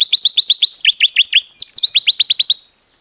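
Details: Canary with a long rolling song, recorded as a master for training: quick chains of short falling whistles shifting into higher, faster notes before stopping abruptly.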